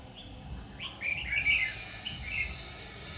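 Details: Bulbul decoy, a red-whiskered bulbul, calling wild birds toward a trap on 7 August 2019; a quick run of clear, slurred whistled notes rising and falling, loudest in the middle, above faint low background hum.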